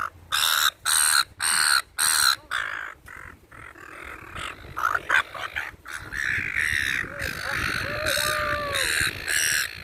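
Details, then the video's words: Seagulls being fed in a park give loud, harsh, repeated calling notes in quick bursts, several birds overlapping, with outdoor background noise. "FEEDING THE SEAGULLS IN THE PARK/ SEAGULLS SOUND EFFECT"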